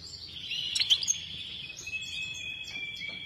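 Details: Goldfinch, locally called saira, singing: a fairly soft run of twittering notes and a long, level, high whistled tone, with a brief louder burst of chirps near the start; faint low rumble behind.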